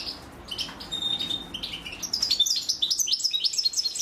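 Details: A female European goldfinch feeds her chicks. Begging starts sparse with a few thin whistles, then swells into rapid, high, overlapping chirps in the second half.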